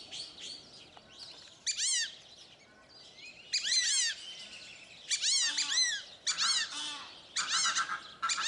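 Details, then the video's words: Sociable fulvous whistling ducks (Dendrocygna bicolor) kept at Upie Zoo in France's Drôme, calling with repeated high, curved, squeaky whistles in dense overlapping bursts from several birds. "Le Dendrocygne fauve est un oiseau sociable - Cris"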